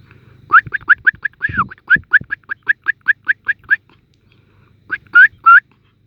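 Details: Wild sparrow hatchlings in the nest, gaping for food: a rapid run of bright, slightly rising chirps, about three a second, then a pause and three louder, longer chirps, with soft low rustling beneath.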